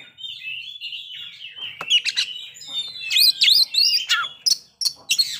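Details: White-rumped shama song meant to provoke breeding readiness and aggression: a soft rambling warble opens, followed by loud high chattering and looping whistled notes in quick bursts.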